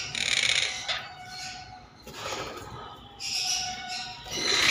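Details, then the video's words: Monk parakeet calling in a series of harsh, rasping squawk bursts, each lasting under a second and separated by short gaps, with a faint steady tone running beneath. "monk parakeet"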